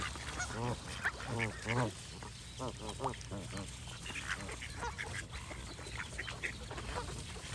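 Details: Flock of geese calling: rapid, overlapping nasal honks come thick in the first half, then thin out into scattered, softer calls over a steady low hum.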